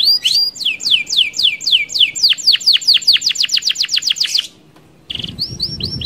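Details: Canary in fast rolling song meant to lure other canaries: a long accelerating series of steep downward whistled sweeps, a brief silence, then a buzzy note and rising whistles.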